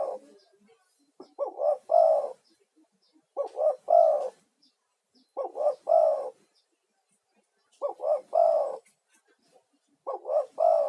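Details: Male spotted dove call used as a lure to draw other doves and to soothe stressed birds: a three-note hollow cooing phrase, the last coo longest, repeated about every two seconds in a quiet setting.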